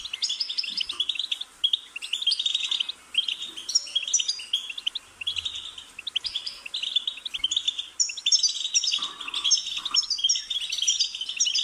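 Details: Extended goldfinch song of rapid, twangy twittering and bright chiming phrases, broken by brief pauses, with faint low bumps in the background.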